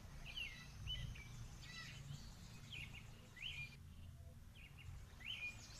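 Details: Several tame house sparrows feeding on grass in a backyard patio; short, bright chirps come in scattered bursts every second or so over a low, steady rumble of background noise.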